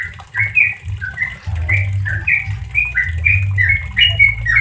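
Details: Tutor recording for caged Sooty-headed bulbuls, in relaxed 'ropel' style: cheerful, slurred chirps follow each other rapidly after a short quiet start, with a low, uneven hum in the background.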